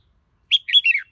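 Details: Red-whiskered bulbul song phrase of three quick liquid notes: a sharp whistle, a rising-and-falling warble, then a descending slur, all in a single brisk burst with no other sounds.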